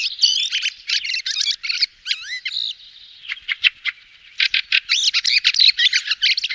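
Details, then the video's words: Fieldfare making a busy stream of harsh, squeaky chatter at roughly three notes per second. Mid-clip come a few drawn-out slurred whistles and a quieter spell of scattered clicks, then the loud chattering resumes. "FIELDFARE THRUSH SOUND,BIRDS NATURAL CALL,صوت سمنة الحقول"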